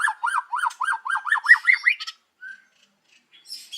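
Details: Morning song of a white-rumped shama, used to draw other birds into song: a fast series of rising-falling whistled notes repeated about eight times, speeding and climbing, then a single soft whistle.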